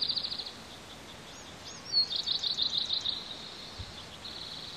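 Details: Peeping bald eagle eaglets, a pair on the nest on a hot day: rapid high peeps at the start, a short squeal, a burst of loud clipped peeps, then a steady thin trill of softer ones.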